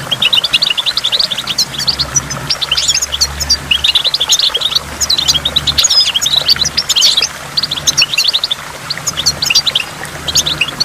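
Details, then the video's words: Goldfinch singing by a waterfall with water drops: a dense, continuous stream of quick high twittering notes and buzzy trills, broken by brief pauses, over a soft low background rush. "in the waterfall stimulates goldfinch and water drops"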